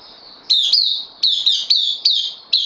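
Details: Caged bulbul, recently arrived on loan, recorded 12 September 2020, sings short clusters of bright, slurred notes in quick pairs and singles, accompanied by a steady thin high-pitched tone.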